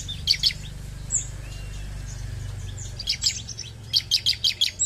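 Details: Bar-winged prinia, or ciblek, at first faint, with a few scattered high notes over a low background hum, then a clear run of about six sharp, evenly spaced chirps near the end.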